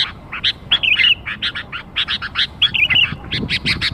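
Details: Sooty-headed bulbul lure for young birds: a tight sequence of buzzy chirps with two bubbly whistled phrases, the notes crowding closely together.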